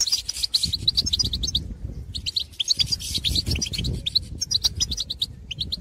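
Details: Wild goldfinches calling to others of their species in the countryside; fast strings of high, sharp chirps in bursts broken by short pauses, with a steady low rumble underneath.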